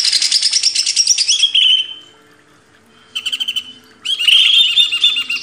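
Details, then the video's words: Greater green leafbird on a cage-bird training master: a fast chattering phrase ending in a whistled slur, a pause, a brief trill, then another rich burst of warbled chatter. "MASTERAN CUCAK IJO // LANGSUNG GACOR"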